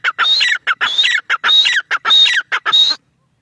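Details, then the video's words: Grey francolin giving a loud repeated call, each phrase a bright whistled note run into rough slurred notes, delivered in quick unbroken succession before stopping abruptly. "Grey francolin sound"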